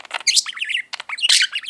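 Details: Five-year-old male pet budgie chattering indoors in short squeaky bursts of warbled, speech-like syllables, rising and falling quickly, with a brief pause halfway through.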